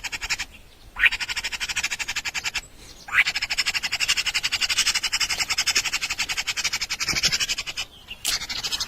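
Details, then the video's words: Baby birds in their nest calling for food while being fed, giving long runs of fast, buzzy, high-pitched pulses with brief gaps and a few sharp rising sweeps. "baby birds want food"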